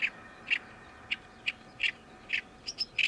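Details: Summer song of a returning Oriental reed warbler: single short, harsh, croaking notes repeated about every half second, with a couple of thin higher squeaks near the end.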